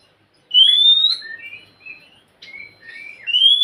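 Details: Oriental magpie-robin song, played to prompt a quiet kept bird to sing: clear whistled phrases, a long rising pure whistle, short slurred lower notes, a brief pause, then more whistles ending in another bright rising note.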